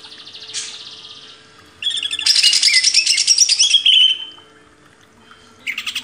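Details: Master recording of a greater green leafbird used to train cage birds: a soft buzzy note, then a long burst of dense, high chattering and whistles that slides downward, followed by a brief pause and another burst.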